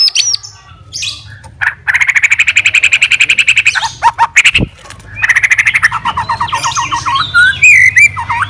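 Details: White-rumped shama, described as a fighter hunting a rival, gives long fast buzzy trills of rapidly repeated notes, separated by sharp clicks, ending in twisting whistled phrases over a low background hum.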